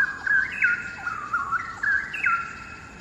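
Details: Straw-headed bulbul in Singapore, one of two perched on a hanging branch in a quarry, singing its melodious song: dense, loud bubbling warble of quick liquid whistles, pitch flicking up and down in repeated short flourishes.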